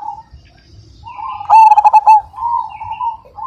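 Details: Actively singing Majapahit zebra dove with a big voice: one loud half-second burst of rapid, resonant staccato coos, set among steady soft cooing from other doves.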